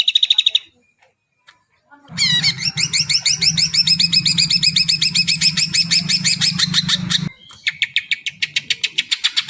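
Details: Greater green leafbird, kept as a songbird, singing an extended rapid chatter of harmonically rich sweeping notes over a steady low hum, then a quieter fast trill of ticking notes after a short break.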